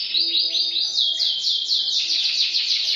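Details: Canary singing fast, descending high notes repeated in quick series, shifting to a slightly higher rolling trill, with faint lower tones beneath.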